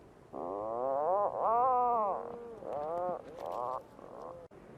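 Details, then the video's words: Puffin uttering a sequence of four or five nasal moaning notes, each arching in pitch, separated by short breaks, with a lower hum between some of them. "Real Puffin Sounds"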